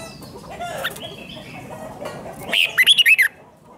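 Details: Red-whiskered bulbul 'rik' song meant to stir caged birds: after a noisy stretch of scattered chirps, one crisp phrase of about six fast, bouncing whistled notes closes the recording.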